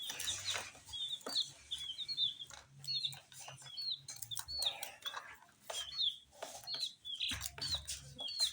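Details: Rainbow-colored tiny chicks eating spicy puffed snacks: steady stream of shrill, whistled peeps, each brief and slightly arched in pitch, coming several per second over clicking pecks and faint rustling.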